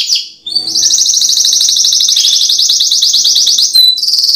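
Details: Canary singing as a lure therapy for a reluctant singer: a long, loud, fast rolling trill held for about three seconds at steady high pitch, then a brief break and a higher trill.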